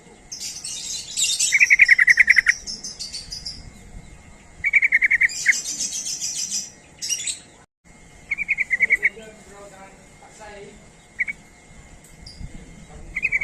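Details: Sooty-headed bulbul lure calls: quick rattling series of sharp notes in bursts of about a second, repeated with gaps, mixed with dense high twittering from other birds.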